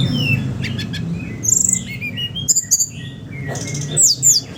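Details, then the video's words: Sooty-headed bulbul singing in the 'ngeriwik ngeplong' style, used as a lure to prompt young, untrained birds; sharp high chirps and short whistled slurs come in quick bursts over a steady low hum. "Burung SRDC Ngeriwik Ngeplong Untuk Pancingan SRDC Bahan"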